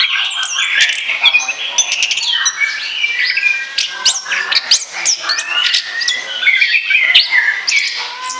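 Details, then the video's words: Continuous, busy Orange-headed thrush song intended as a lure: a dense tangle of overlapping whistles, harsh squeaky notes and upward-swept slurs, delivered almost without pause. "ANIS KEMBANG NGOCEH NGEPLOOONG"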